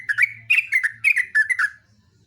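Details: Yellow-vented bulbul in a long, continuous 'ropelan' song: a fast run of bubbly, warbled whistled notes. They are delivered in about six tight bursts over two seconds before stopping, over a faint low hum.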